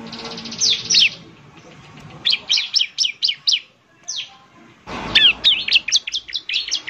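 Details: Bar-winged prinia song used as a lure: bursts of sharp high chirps, rapid descending notes repeated in series, with a brief quiet gap before another fast run of bright tweets.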